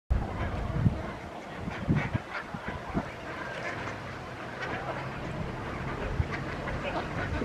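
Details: Ducks on Diss Mere, recorded 30 July 2022: short, harsh quacking bursts scattered irregularly, clustered in the first three seconds, over a steady low background rumble.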